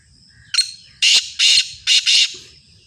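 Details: Black francolin (kala tetar), described as a Sindhi-strain bird. It gives a brief sharp opening note, then four loud, harsh, grating notes in quick rhythmic sequence, the second pair closer together, over quiet low background noise.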